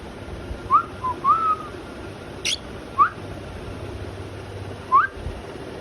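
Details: Cockatiel (Nymphicus hollandicus) gives short, clear, rising whistled calls in scattered bursts, with one sharp click between them.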